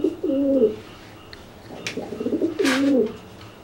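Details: Pigeon threat cooing toward a wet bathing companion, two deep rolling coos separated by soft murmuring, with a brief flutter or scrape.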